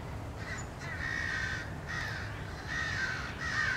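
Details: A flock of American crows attacking a bald eagle that returned to its nest, 30 March 2016. A string of five or six long, harsh caws in quick succession over a low background rumble.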